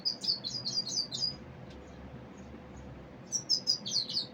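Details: Common Iora giving a repeated set of high, sharp downslurred chirps about five in quick succession, then a silence before another similar run of chirps.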